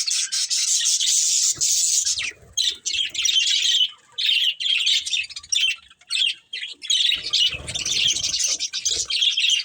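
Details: Pet budgerigars chatter almost without pause, a loud, grating warble of quick chirps and squawky notes, with soft low rustling near the end.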